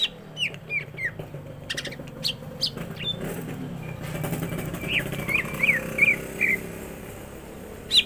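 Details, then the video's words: Green leafbird (cucak ijo) gacor isian singing: early downward slurred whistles and clicks, a noisy stretch with engine rumble, then a quick series of bright whistled notes near the end. "CUCAK IJO GACOR ISIAN"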